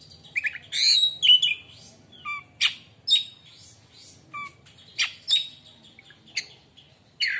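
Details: Song of a white-rumped shama reputed to silence rival shamas: varied rapid phrases of high whistles, buzzy rasps and sharp clicks, delivered in bursts with short gaps.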